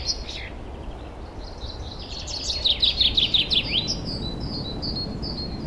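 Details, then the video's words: Wild forest birdsong in spring, 2023: a quick series of about eight sharp descending chirps, then soft high whistles from more distant birds over background hiss. "Пение лесных птиц"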